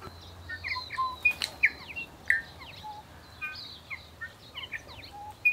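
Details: Bellbird (korimako) singing in native scrub and bush near Greymouth, New Zealand, on 8 April 2023: a busy run of short, clear, bell-like notes and quick slurred chirps, some rising, some falling, scattered through the whole stretch over a soft background hiss.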